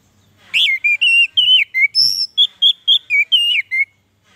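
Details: Orange-headed thrush singing, a recording meant to stimulate sluggish captive birds: a rapid sequence of about a dozen clear slurred whistles, some rising and some falling, with one higher squeaky note midway, with no other sound.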